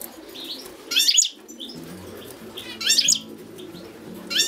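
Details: European goldfinch song: high, bright twittering bursts about two seconds apart, linked by a few thin single notes, over a soft, steady low musical backing.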